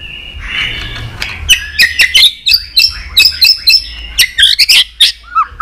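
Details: White-rumped shama song meant to stimulate pet shamas: after a soft buzzy start, a fast run of sharp clicking tack notes and short high chirps, ending with a few downslurred whistles.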